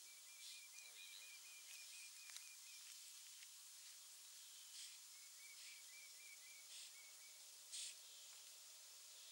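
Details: Terek sandpiper that has spent several days at Landje van Gruijters, 30 May 2013: two rapid rippling series of short, clear, evenly spaced notes, each lasting about two seconds, over steady hiss with scattered clicks.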